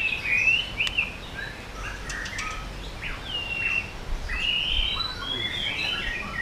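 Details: White-rumped shama singing to provoke other birds in the 'yến reo' style: soft, fairly distant-sounding whistled phrases and warbles, separated by short pauses, over a steady background hiss.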